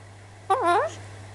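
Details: A pet Alexandrine parakeet talking with its owner indoors: a short burst of harmonic, wavering vocal notes, about half a second long, given right after a woman greets it with hello.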